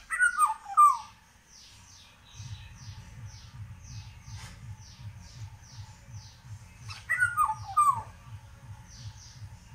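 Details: Indian golden oriole (Oriolus kundoo), song.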